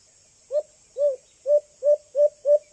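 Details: A young White-eared Brown Dove from Antipolo gives seven low, hollow hoo notes that quicken as they go, over a steady high insect-like hiss, a call used to lure doves close.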